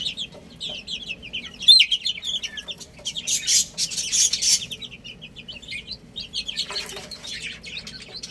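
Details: Little chicks at play and feeding, with short high piping chirps in quick runs, several brief louder rustling bursts partway through, and a quiet background.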